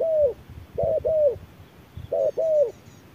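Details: Wild spotted dove at hot midday responding aggressively to a machine decoy. Soft paired coos, the second note long and descending, separated by pauses. Low thumps sound between phrases, and faint high chirping comes near the end.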